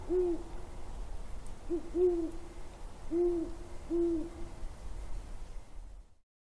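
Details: Great horned owls on January 17, 2022 giving four spaced, deep hoots about one second apart, each soft and slightly drawn out, before the recording cuts to silence.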